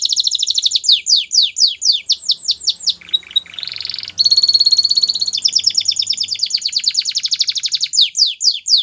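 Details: Belgian canary song meant to make canaries sing again: repeated falling whistled sweeps, a burst of harsh buzzy notes, then a rapid high trill and more sweeps, loud and continuous.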